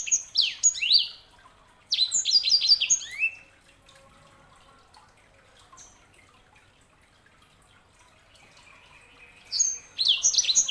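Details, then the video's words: Sanger, a canary hybrid, singing in short bursts of rapid, sweeping whistled and chirping notes, with pauses of several seconds between phrases; faint dripping water in the background. "KICAUAN SANGER"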